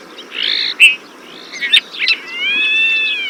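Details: Desert Finch: several sharp chirped notes and quick twitters, followed by a long, even, drawn-out whistle with a slight wavering, over a faint background hiss.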